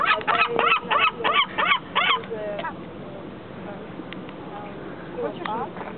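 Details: Seagulls at Travemünde calling: a rapid run of about eight loud, harsh, yelping notes with rich overtones, roughly three per second, fading after two seconds, then a few quieter calls near the end over a low background hum.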